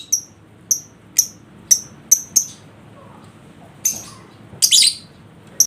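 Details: Caged lovebird sound used as a lure to provoke a lazy lovebird into singing: sharp high chips repeated about every half second, then two louder bursts of shrill chatter near the end.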